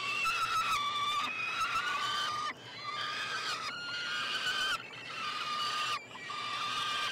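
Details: Three peregrine falcon young begging as food arrives at their nestbox, University of Montreal, Quebec, June 21, 2022; strident, rasping, level screams in long runs, broken by short breaks every one to two seconds.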